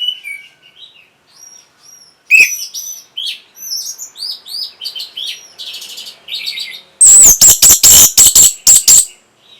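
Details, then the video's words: Orange-headed thrush singing to stimulate breeding arousal and a response: soft, scattered high whistles and slurred notes, then a sudden loud burst of rapid, harsh, ringing chips near the end. "NYANYIAN BURUNG PUNGLOR PEMBANGKIT BIRAHI"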